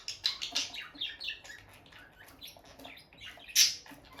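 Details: Pet peach-faced lovebird couple, sitting close and touching beaks near their nest box: bright chattering chirps early on, fading to soft twitters, then one sudden loud shrill squawk near the end.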